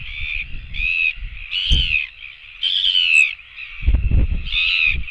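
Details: Royal albatross chicks begging for food at a webcam nest produce loud, bleating harmonic calls in short separate phrases, some sliding downward, between brief pauses, with occasional wind rumble.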